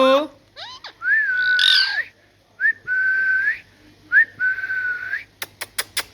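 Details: A talking parrot gives a sliding call and squawk, then long level whistles that rise at the start and end, followed by four crisp clicks.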